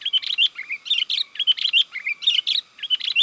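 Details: Sooty-headed bulbul lure call meant to excite wild birds: lively bubbly chirping phrases of quick liquid notes, repeated in short bursts about every half second without pause.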